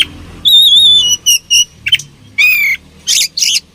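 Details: Fighting oriental magpie-robin: a long, gently wavering whistle, then short repeated whistled notes, a buzzy slur and two harsh noisy bursts, over low background rumble.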